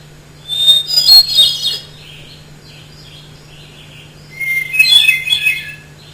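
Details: Hermit thrush, two songs separated by a quiet pause, each starting with a pure whistled note and breaking into rapid, ringing flourishes that leap between pitches; quiet soft warbles in between and a steady low hum.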